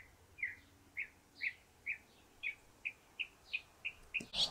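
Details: Northern mockingbird on its favourite perch atop a stove pipe, giving a series of single sharp chirps spaced about every half second, ending in a brief burst of noise.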